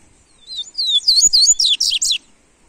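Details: Double-collared seedeater, played live to warm up a kept seedeater, gives a crisp phrase of high whistled slurs that speeds into a string of sharp, rapid chirps over about one and a half seconds.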